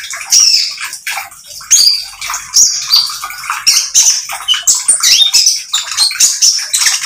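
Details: A magpie-robin sings in bursts of squeaky, high chattering notes and thin whistles, roughly pulsing under a second apart. The song serves as a lure to get other oriental magpie-robins singing.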